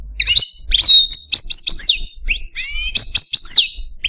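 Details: Pet Algerian Parva goldfinch cock in a cage, singing a complex song: quick bright downslurred whistles and liquid twitters in tight bursts, with a raspy buzzy phrase midway and faint low background rumble.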